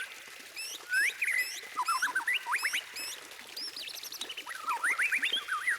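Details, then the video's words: White-rumped shama delivering a fast medley of looping, warbled whistles. It has a quick zigzag sequence of rising notes and some higher twisting phrases, and the volume swells and fades. "Kicauan Emas: Masteran Murai Batu untuk Pecinta Burung"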